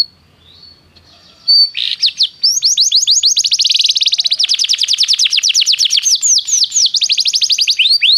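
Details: Song of a canary, played so a silent canary will sing: after a quiet start, a long run of rapid, sweeping high whistled notes repeated many times per second, shifting tempo between phrases.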